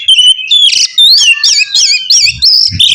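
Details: A loud Oriental magpie-robin song meant to set another magpie-robin singing: liquid rising and falling whistles run together in quick, warbling phrases, ending with faint low thuds.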